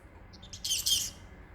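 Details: Pet parrotlet, bored on a warm Friday afternoon, making funny noises to entertain itself, calling its owner and giving kisses. A few faint, high, short chirps lead into a harsh, squeaky burst lasting about half a second.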